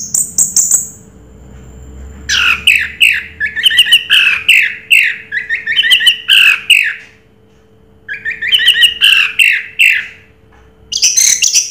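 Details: Orange-headed thrush in 'raja teler' song, giving runs of harsh, squawky notes repeated in quick series of roughly two to three per second, broken by a couple of quiet pauses, with a high whistle at the start.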